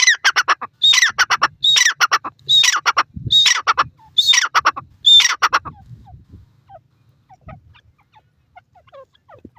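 A francolin gives loud, harsh, grating call bursts about once a second for six seconds, then falls quiet apart from faint distant chirps.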